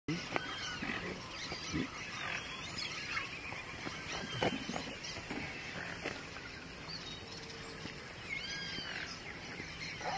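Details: Immature Boat-billed Heron at Fazenda Santa Tereza, Pantanal, Brazil, 28 September 2013, giving short, harsh, grunting croaks at irregular intervals over a steady high insect drone, with thin whistles from other birds.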